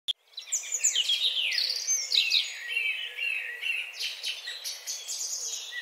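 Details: Female lutino lovebird, a fighter type, giving long trilling chatter: rapid high chirps and sweeping squeaky notes in a dense, continuous stream that rises and falls, with a quieter, looser tail of repeated chirps.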